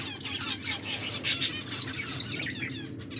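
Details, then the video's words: Pet finches feeding give quick, high, scratchy chirps in overlapping bursts, with soft wing flaps and a constant low background hum. "My beautiful finches eating and enjoying finches chirping sounds"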